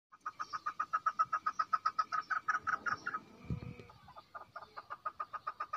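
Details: Female chukar calling: a fast run of short clucking notes, about four or five a second, steady for three seconds, then a brief knock and a quieter resumed series.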